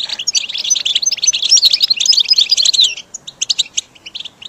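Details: A goldfinch song used to train caged birds: a lively run of bright twitters and fine whistles for about three seconds, then separate clipped chirps spaced out toward the end.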